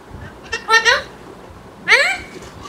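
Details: Tame green parrot at home voices a double-pulsed harmonic call, then after a pause a bright falling sweep, both strong and clear above a faint room hum.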